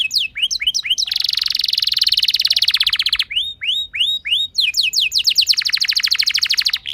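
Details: Canary lure song for drawing other canaries into song: a few curved whistles lead into a long, dense rolled trill, then more swooping notes and another fast trill phrase.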